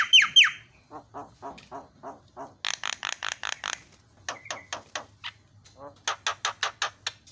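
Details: Calls of a Javan myna used to goad other mynas into calling. Two loud whistled notes open it, followed by evenly spaced rasping pulses and clicking bursts in steady series.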